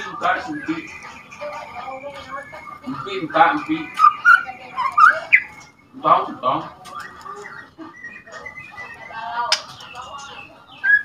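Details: Two-month-old juvenile white-rumped shama practising its song of rattles and whistles, said to rile other shamas: short bursts of scratchy chatter broken by bright, looping whistled phrases, with pauses between bursts.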